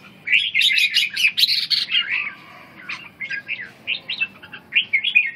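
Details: Red-whiskered bulbul giving a loud run of rapid, slightly harsh warbling notes, then shorter bubbly phrases at a steady pace, with low hum in the background.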